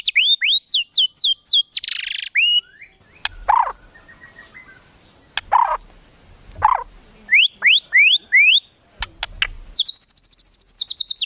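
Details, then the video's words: White-rumped shama singing a provoking kretekan tembakan song meant to stir a rival's emotion: runs of quick downslurred whistles, a harsh buzzy burst, lower slurred notes, then a fast rattling series at the end. "KRETEKAN TEMBAKAN MURAI BATU MEMANCING EMOSI"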